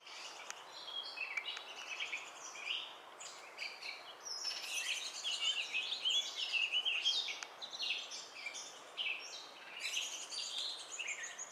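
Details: Baltimore oriole nestling in Kalamazoo, Michigan, 15 June 2018, begging as the female feeds it: rapid, high, scratchy chattering calls, overlapping and nearly continuous, with swells of more intense chatter.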